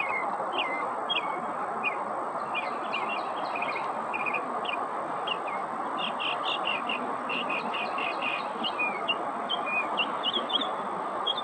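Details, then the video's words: Mockingbird, Northern, copying other birds: a long string of crisp high chirps in little groups of two or three, changing note every few repeats, with a continuous low rushing noise underneath throughout. "Northern Mockingbird mimicking other birds sounds"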